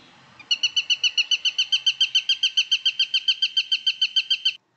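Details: A Eurasian sparrowhawk, a UK bird of prey, gives its rapid call, about eighteen sharp, high kew notes evenly spaced at roughly four per second, with no other sounds.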